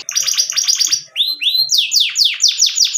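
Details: Canary singing: fast buzzy chattering notes, then a series of loud swooping whistled notes, each sliding downward, repeated about every quarter second.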